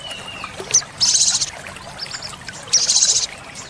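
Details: Sogon, the olive-backed sunbird, in a tembakan-filled training song: a thin descending whistle and single chip, then two dense buzzy high bursts about two seconds apart.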